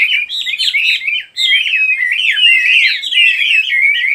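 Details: Birds twittering nonstop in fast, jumbled chirps and warbles. After a brief dip near the middle the chorus continues more densely.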